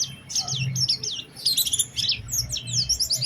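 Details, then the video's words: Oriental white-eye giving a dense, energetic lure song in a special phrasing style: very high, rapid, twittering slurred notes packed closely together and barely pausing, with a faint low rumble beneath. "Pancingan Burung Pleci Gacor Cengkok Istimewa"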